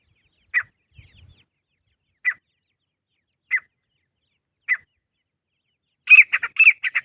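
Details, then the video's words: Grey francolin (teetar) calling in a natural forest setting: sharp, high single notes about every second, then a rapid, loud run of harsh repeated calls at the end. "Grey Francolin First Time Voice 🐦 | Beautiful Natural Teetar Call in Forest"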